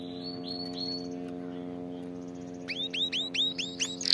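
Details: Canary training song, starting with soft falling whistles and then a string of quick, rising whistled chirps repeated in a steady series that grows louder; electrical hum underneath.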